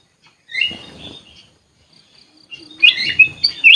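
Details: Sooty-headed bulbul kept in an aviary, giving two short bursts of liquid, warbling whistled phrases separated by a pause, with soft low rustling beneath.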